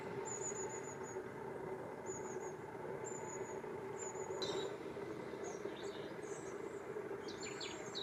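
Long-tailed tit giving very high, thin see-see-see calls in short bursts, with a few rolling trills, over a steady roar of traffic or wind.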